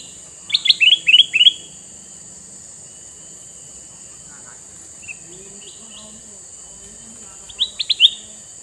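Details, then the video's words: Male sooty-headed bulbul (kutilang mas) with red eyes, played to lure wild bulbuls: a rapid burst of four bubbly rising notes, softer chirps midway, then another quick cluster near the end, over a steady high hum and faint low murmurs. "Burung kutilang mas jantan mata merah"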